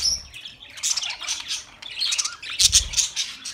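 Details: Budgies give bright chirps and short warbled phrases in irregular bursts, with one brief whistled note near the start and louder chatter toward the end.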